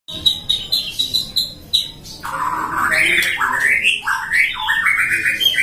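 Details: White-rumped shama, captive-bred by a bird hobbyist in Depok, singing a lively 'gacor' song: sharp clicks and short notes, then a run of loud whistled phrases that rise and fall, some slurred, continuing steadily to the end.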